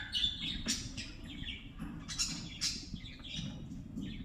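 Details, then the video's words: Lovebirds chatter with sharp, high, clipped squeaks and tweets, irregular and overlapping, rising and falling in bursts over a low background hum. "Love Birds Sound"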